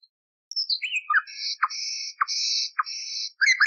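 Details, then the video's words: Common nightingale song, an old recording of at least 30 years cleaned of interference and used for training canaries: a high descending whistle, then long sustained buzzy notes broken by short low dropping clicks, ending in quick twittering. "Bülbül Ötümlü Kanarya Eğitimi İçin Bülbül Sesi ve Ötüşü"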